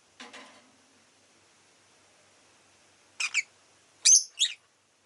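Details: Rosy-faced lovebird: faint rapid chatter, then a quick double chirp and a loud pair of shrill, shrieking chirps.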